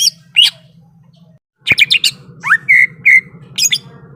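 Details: Greater green leafbird, ready to fight, gives a few scattered notes, a sharp click, then buzzy chatter and long flat whistles, backed by a steady low hum.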